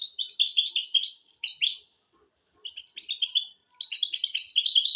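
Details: Hybrid of goldfinch and canary singing to train goldfinches and canaries: two bursts of quick, tinkling chirps and trills separated by a silent gap of about a second, the second burst building into dense twittering.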